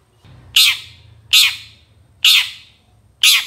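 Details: Long-tailed shrike master recording for training songbirds: four loud, harsh, rasping squawks, each a short broadband burst that fades quickly, given about once a second over a faint low hum.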